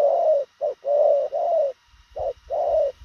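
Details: Spotted dove in rapid cooing: deep, soft coo notes in quick succession, one short note then longer drawn ones, a pause, then another short-long pair, with a slight low rumble.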